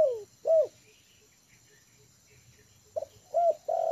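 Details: Spotted dove trained as a decoy, at ease on the yard ground. The clip opens with the end of a falling coo and an arched coo. After a quiet stretch of faint regular ticking, a new phrase of soft coos begins.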